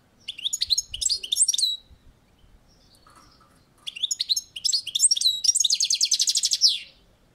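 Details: Balcony-kept European goldfinch singing: liquid twittering phrases with quick up-and-down slurred notes, a brief pause, then more twitter running into a fast buzzy trill of even, high pulses.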